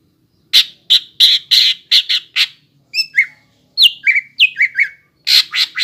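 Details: Greater green leafbird singing steadily to coax raw young birds into song: harsh rasping bursts alternate with clear downslurred whistles, delivered in quick phrases with brief gaps.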